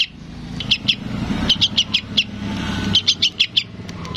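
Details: Juvenile sooty-headed bulbul calling its parent with scattered high chirps and short bursts, while low traffic noise runs throughout.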